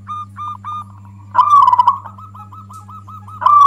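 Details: Loud song of a local zebra dove, used as a lure because it angers other doves. Spaced short notes lead into a bubbling, rolling coo, followed by quick hooked notes and a fresh loud phrase, all over a low hum.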